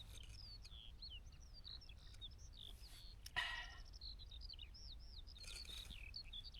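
A skylark pours out an unbroken, fast, twittering warble of high chirps and trills, with steady wind rumble and a brief gust or handling thump midway.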